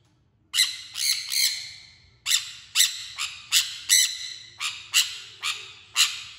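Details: Sun conure screeching repeatedly, piercing harsh shrieks coming about every half second after a brief silence, with a pause near two seconds, each with a ringing, echoing decay; faint low background hum.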